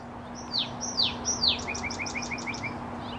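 Song sparrow song: three bright, downslurred whistles, then a quick, even trill of short notes, with a low steady hum underneath.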